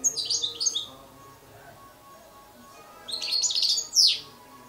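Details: European goldfinch fledgling calling: a burst of high, quick twittering chirps at the start, a quiet gap, then another chattering burst ending in a sharp, sweeping note, over a faint steady hum.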